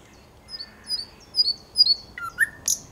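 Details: Thrush nightingale, 9 August 2022, sings quietly: thin, high whistles slide downward, then a few stronger, lower notes and a sharp, harsh note end the phrase.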